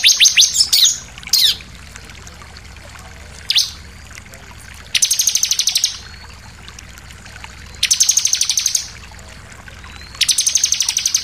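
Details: Bar-winged prinia song used as a lure to make other birds excited and sing: bursts of rapid, high, buzzy trills about one second long, separated by pauses of a few seconds, opening with sharp chips, over a quiet background.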